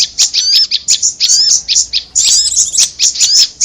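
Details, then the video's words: Prinia sounds used as a bird lure, mixed with korlap calls: clusters of shrill high chirps separated by brief pauses, plus a few clear upslurred whistles, over a quiet background. "Suara pikat korlap dan Prenjak bawah"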